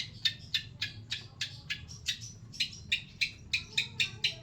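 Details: Long-tailed shrike song in an old-style recording: short, sharp, harsh broadband notes repeated about three times a second, some with buzzy overtones, over a low background hum.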